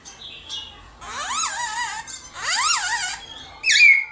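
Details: Black-throated laughingthrush in competition song, played in the morning to fire up other kept laughingthrushes into singing; loud harsh, rising-and-falling harmonic phrases with a few thin higher notes in between and a bright whistle at the end.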